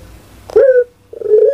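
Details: Caged national champion puter pelung dove from Indonesia gives a short, sharp rising coo, then after a pause begins a steady, level, sustained note.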